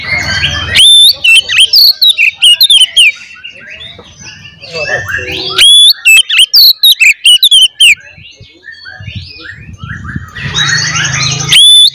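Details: Oriental magpie-robin fighting song for provoking other magpie-robins; repeated loud bursts of upswept whistles and quick sharp notes, separated by softer rambling warbles and a low hum.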